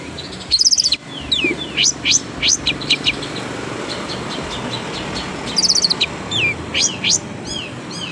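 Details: Long-tailed shrike singing with its tail spread: sharp, high rising and falling whistled strokes in two bursts, a cluster near the start and another after five seconds, with scattered single notes between over a steady background hiss.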